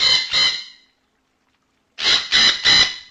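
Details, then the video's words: A parrot gives harsh, squealing squawks: two quick ones, a second's pause, then three more in a fast burst. "Âm thanh con vẹt || The sound and picture of the parrot"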